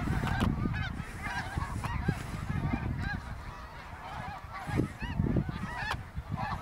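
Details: Greater snow geese in autumn migration over Ottawa, Canada, 2021, a vast flock passing: layered honking yelps, clipped and bouncing, some closer bursts standing out from the throng, with gusty wind noise underneath.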